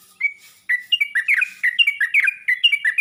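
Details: Calling to other bulbuls, a Yellow-vented bulbul gives one short whistle, a brief pause, then a dense burst of gurgling, up-and-down notes at roughly two per second.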